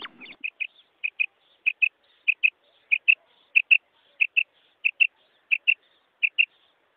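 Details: Common quail (Coturnix coturnix) giving sharp, high, clipped notes in quick pairs, each pair repeated about every six-tenths of a second; a brief rustle opens the recording.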